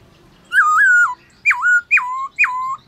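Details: Black-throated laughingthrush singing at midday in a forest-voice style, a kept bird in training: one long wavering whistle, then three loud, clear whistled notes that each drop sharply and level off, nearly back to back.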